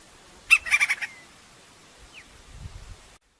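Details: Wild Crimson-crested woodpecker, Campephilus melanoleucos: a brief rapid string of five or six rasping notes that fades off, followed by near silence with a soft low rumble.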